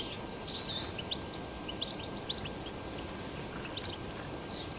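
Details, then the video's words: European goldfinch in the wild, 2021, giving quick high twitters and brief slurred whistles in loose bursts about two per second, set against constant broadband environmental noise. "تغريد , طائر الحسون بتبته , الخلوي طائر الحسون في الطبيعة"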